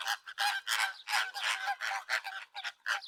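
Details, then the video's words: Honking chatter from a group of flamingos, rapid nasal goose-like notes tumbling over one another several times a second. "FLAMINGO VOICE"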